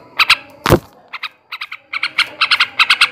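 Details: Male yellow-vented bulbul (trucukan) chattering in ngebrem ngekek style: scattered harsh paired notes, interrupted early by a loud thump, then a quickening burst of chatter.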